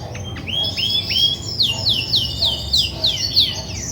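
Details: Grey-and-white female Belgian canary singing before brooding; upward-hooked whistles followed by a run of sharp falling notes at about three per second over soft background hum.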